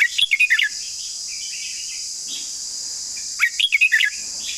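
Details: Red-whiskered bulbul singing a long song in two quick bursts of chirpy, whistled notes separated by about two and a half seconds of pause, with a continuous shrill hiss behind.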